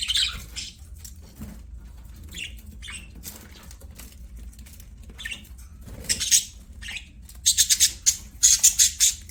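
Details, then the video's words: Budgies chattering during play, with scattered squeaky chirps and light tapping, then a run of sharp, repeated buzzy bursts toward the end. "BUDGIES SINGING PLAYING"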